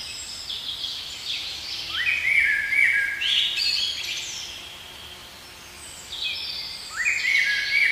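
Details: Blackbird singing in a spring forest: two fluted phrases climbing from a low warble into high squeaky twitters, about five seconds apart, over soft steady background hiss.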